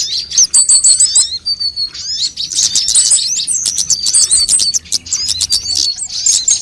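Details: Assorted sunbirds in a lure recording for attracting birds: loud, piercing high chirps and squeaky trills in dense overlapping bursts, with a softer spell near five seconds.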